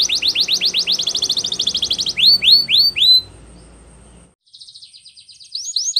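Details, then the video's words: Training song from a canary: rapid repeated upswept notes, a few slower louder slurs, a pause with soft hiss, then a quiet trill returning. "Canary's Most powerfull Song For Training"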